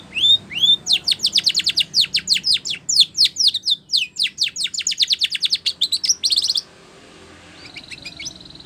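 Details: A Spanish Timbrado canary sings a training song: a couple of rising whistles, then a long steady rattle of sharp falling notes, ending in a faint distant trill.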